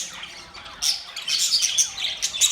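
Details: Budgies chattering in a mating context; after a quieter start, sharp high squeaks and chirps burst in, coming quickly in uneven clusters.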